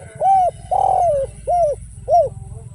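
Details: Close, loud phrase of spotted dove song, style without kuk and with one kuk: an arched coo, a long wavering descending coo, then two more rounded coos, over a low rumbling background.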